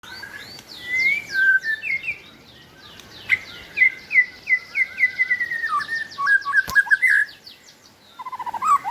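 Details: White-rumped shama singing in the 'balak 8' style, used as a lure to make shamas that have stopped singing start again: a fast run of varied, clear whistled phrases, slurred and rising, with rapid trills and short pauses between bursts.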